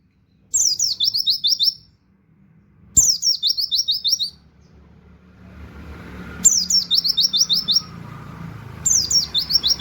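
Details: Oriental white-eye in 'tembakan' style song with canary-like 'wit wit' notes, a training recording for songbirds: four brief high, rapid twittering phrases of falling notes spaced a few seconds apart, faint low rumble between them.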